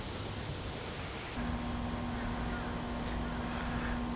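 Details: Broadband wash like surf or wind, joined partway through by a steady low droning tone, with no animal calls.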